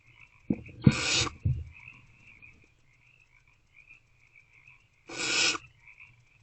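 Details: Barn owls in a nest box in the early morning darkness of 28 February 2024 as food keeps arriving: a short rasping hiss, a long quiet gap, then a second harsh hiss. A few dull bumps come before the first.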